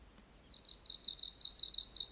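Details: Japanese leaf warbler singing in southern Nara Prefecture, Japan, on 4 June 2022: a fast, even series of high, buzzy, clipped notes repeated about five times per second, starting softly and growing louder, over quiet background.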